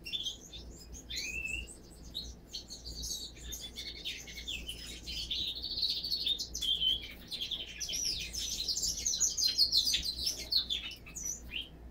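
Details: Siskin and canary hybrid singing a long, continuous twittering song of rapid chirps, trills and buzzy warbles, growing louder toward the end, over a steady low hum.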